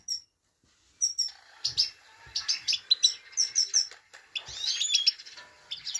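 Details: Himalayan goldfinch, a female calling 'peet peet' to stimulate a male: a brief high chirp, then a pause, then a fast run of thin, high twittering notes and tinkling trills.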